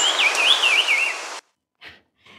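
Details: A greater racket-tailed drongo, recorded in the Biligiri Rangan Hills of southern India, mimics a brown-cheeked fulvetta: a clear, wavering whistled phrase lasting just over a second, then two faint short notes, over steady hiss.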